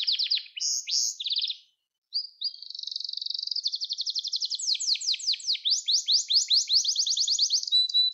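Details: Gloster canary song for training and stimulating young canaries to sing: rapid trills of repeated high chirps, opening with short varied phrases, a brief pause, then long rolling tours of fast descending notes.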